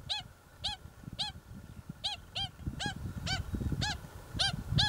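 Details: Pied stilt from a native colony nesting with chicks in the centre of a busy earthworks site on the Waikato Expressway, Hamilton, New Zealand, giving about ten sharp, ringing, slightly arched yapping notes, one every half second, over low wind rumble.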